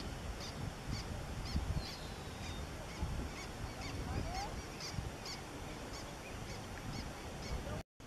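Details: Black terns at Point Pelee, approached closely by kayak; sharp short high calls repeat about twice a second over wind and lapping water rumble.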